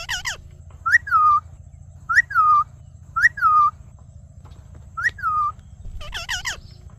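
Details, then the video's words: A talking ring-necked parakeet whistles one phrase four times, a short upward note and then a sustained, gently falling tone, closing with a harsher harmonic call over a soft hum. "Amazing Parrot Video Talking"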